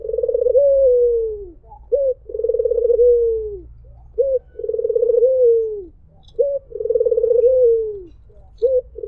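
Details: A white Barbary dove repeats its "mpuk jeruuu" coo four times: a quick clipped "mpuk" leading into a long vibrating, slightly descending "jeruuu", in steady rhythm against faint low hum.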